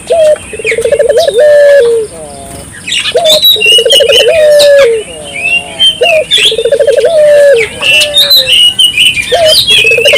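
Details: Prolific turtle dove calling, played to prompt local doves to join in: low rolling coos repeated roughly every two to three seconds, each a trilled phrase ending in a long slurred note, over dense high twittering of other birds.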